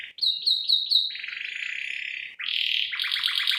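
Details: Vigorous gacor canary song in cengkok isian style, described as a female enticing a male for lure and master training: four quick bright chirps, a long buzzy roll, then a rising burst and a pulsed trill.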